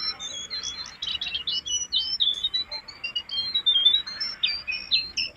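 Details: Jongkangan singing vigorously, recorded to lure and train cage birds: continuous high twittering with varied slurred whistles and quick chirps, barely pausing.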